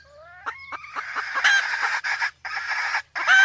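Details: Sumatran junglefowl, male and female with a female in heat, lure recording: a few rising whistled notes open into a dense, harsh, continuous squawking call, cut by two brief gaps.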